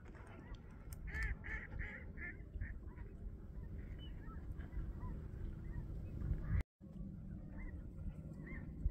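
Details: A large flock of geese, with snow geese and sandhill cranes gathered on swampy lakes at Bosque del Apache refuge, New Mexico, honks and clamors continuously, overlapping nasal calls, with heavy low wind rumble underneath.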